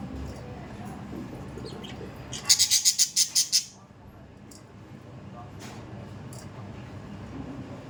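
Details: Budgerigar giving a rapid string of about eight sharp, evenly spaced chirps lasting roughly a second, followed by quieter room noise and faint distant chirping.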